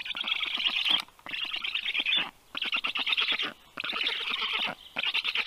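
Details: Thirty-day-old rescued black stork chicks begging while fed at a veterinary clinic in Tartu, Estonia, afternoon of 21 June 2022; hoarse rapid chattering in bursts of about a second, separated by short silences.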